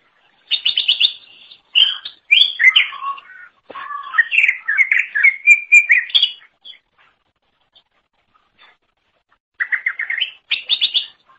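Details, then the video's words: Greater green leafbird singing for songbird training: fast buzzy trills, then a long varied warble of high and low whistles, a pause of a few seconds, and renewed rapid trilling. "Kicauan Super Cucak Ijo Gacor Untuk Masteran"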